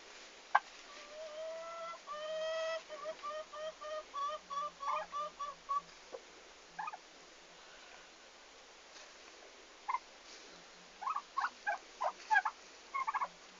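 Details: Turkeys at a farm on their arrival day, 11 August 2015; a fast run of short harmonic notes for several seconds, then scattered clicks and sharp short sounds.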